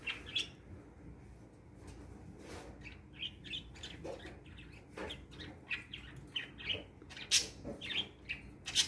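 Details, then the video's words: Three pet parakeets chirping and playing in the morning: quick, bright bursts of irregular short high notes and scratchy twitters tumbling over one another, with light rustling and thumps between. "Parakeets Chirping"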